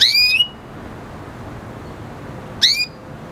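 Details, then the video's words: Red hooded siskin hybrid with canary, singing: a clear upslurred whistle with a rasping tone, then silence, then a second shorter rising note near the end. "Red hooded siskin singing | Cardenalito venezuela cantando"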